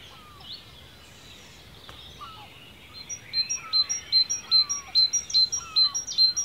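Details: Wild birds singing in ancient woodland in Cornwall, UK: faint scattered whistles and sliding notes, then from about three seconds a loud bright high note repeated in a steady fast series, over soft background chorus.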